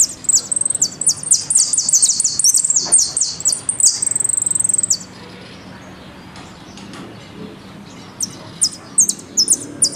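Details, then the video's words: Argentine goldfinch song in the "El Meryl" style, golpe y pitadas: long, fast run of very high downslurred notes with a sustained trill, silence, then a few separate sharp high notes. "JILGUERO AUDIO "EL MERYL" ( golpe y pitadas)"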